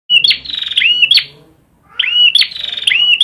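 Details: Prinia (perjak) singing energetically: two loud phrases, each a buzzy rattling note followed by sharp down-curving whistled slurs and a high click, separated by a short pause.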